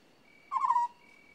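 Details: One croaky, trilled note from an African scops owl, brief and slightly descending, with a faint steady high whine audible before and after.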